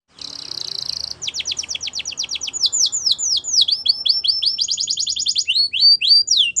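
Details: Canary song starting with a buzzy rattle, followed by quick descending whistled notes repeated several per second, a dense trill and bright downslurred phrases.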